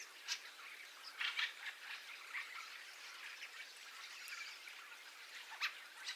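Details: A Fieldfare invasion: a loose flock of fieldfares gives harsh, dry chattering calls in short scattered bursts over a soft hiss, with a starling roost audible in the background.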